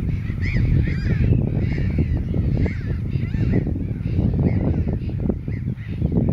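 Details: Mediterranean gulls, a mated pair (adult male and third-year female), at Montjean-sur-Loire, France, on 27 April 2013, with black-headed gulls nearby, give nasal, mewing calls that rise and fall, several in quick succession, over a steady low rumble of wind.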